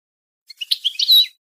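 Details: Goldfinch song meant to tutor young birds: one brief scratchy, twittering phrase rising into a bright, sustained clear note.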